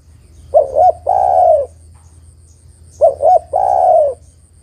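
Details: Spotted dove female calling for a male, giving two complete phrases about two and a half seconds apart. Each is two quick soft coos followed by a longer, throaty, gently falling coo.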